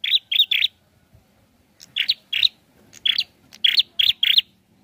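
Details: Prinia, sounding full and lively, gives bursts of quick buzzy chirps in groups of two or three, several clusters over a few seconds with a faint low background hum.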